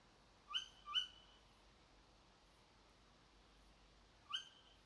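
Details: Tawny owl calling behind a house at 4 a.m.: a quick pair of shrill rising notes, a pause of over three seconds, then one more.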